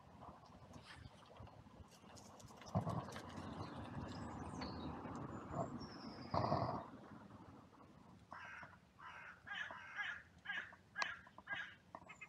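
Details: Crows in a cemetery oak grove while being hand fed. After several seconds of broad rushing noise comes a series of short, harsh caws repeated roughly every half second to the end.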